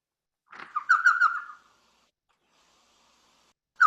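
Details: Elf Owl, smallest owl in the world, common in Arizona upland deserts and riparian forest along sycamore-lined Harshaw Creek, Patagonia Mountains, giving a quick, chattering burst of high, puppy-like yips lasting about a second, then a faint echo and another call starting.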